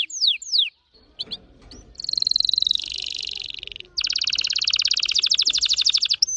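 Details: Red factor canary, orange-red, singing quick descending notes, then two long dense rolling trills, with a softer rustling background between phrases.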